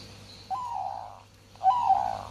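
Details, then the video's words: Zebra dove in breeding condition: two soft, wavering cooing phrases separated by a short pause, the second louder and more rolling, with a faint background hum. "Suara Burung Perkutut Sedang Birahi"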